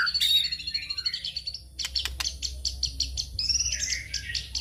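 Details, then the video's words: White-rumped shama song used as a lure for other birds, a fast jumble of high warbles, trills and clicks over a steady low rumble. "pancingan murai batu"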